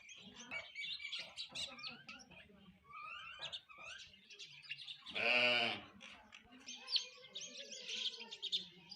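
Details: Feeding sparrows keep up a chorus of overlapping short chirps; around the middle a loud, drawn-out harsh call rises over the flock before the chattering resumes.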